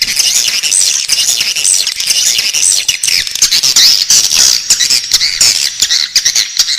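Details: Swiftlet chicks calling from the nest: a steady, shrill, grating hiss of many voices, with faint ticking beneath and few pauses.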